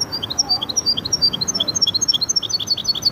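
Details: Hybrid of goldfinch and canary delivering a rapid, fairly even series of paired high notes, close to three per second, in Widani style.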